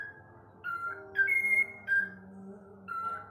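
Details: Whiteface lutino cockatiel giving a few clear whistled notes, each a short held tone with a quick upward step, spaced irregularly over a few seconds against a quiet indoor background with a faint low hum.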